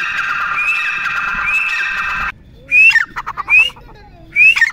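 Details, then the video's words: Grey francolin (teetar) calling: after a steady droning hum ends, three sharp, rising, high-pitched call notes ring out about a second apart. "Teetar Ki Awaaz"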